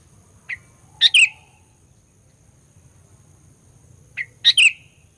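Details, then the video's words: Sooty-headed bulbul lure song used to provoke rival bulbuls: two short bursts about three seconds apart, each a faint high note followed by a loud, bubbly, chirping phrase with a quick slurred ending, over a quiet low hum. "Burung Kutilang Pikat Gacor Fighter, Paling Jago Mendongkrak EMOSI Kutilang LAWAN"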